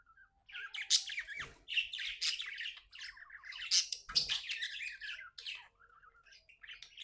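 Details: Cheerful pet budgie warbling continuously with raspy chirps, clicks and harsh bursts, the chatter tapering to softer notes near the end.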